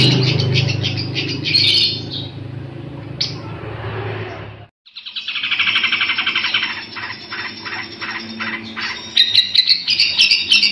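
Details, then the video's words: Long-tailed shrike song suited for tutoring other birds: bursts of harsh rapid chattering notes, a brief drop to near silence midway, then fast repeated scratchy phrases and clicks. "cendetnya maszee cocok buat masteran"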